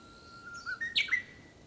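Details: Japanese bush warbler singing in early summer, when its song is said to be more practised than in early spring: a steady held whistle, a brief rise, then a sharp explosive flourish of quick notes ending on a clear higher tone.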